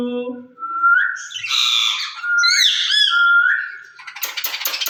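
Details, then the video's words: Two caged rose-ringed parakeets talking to each other: a low voiced note, then long steady whistles with squawky overtones, ending in a quick series of sharp clicks. "Speaking Parrots in Cage"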